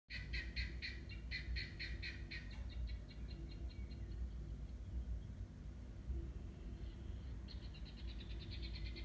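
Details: A noisy guinea fowl gives fast, harsh, clattering notes in rhythmic runs. The notes fade midway, then start again toward the end over a steady low rumble.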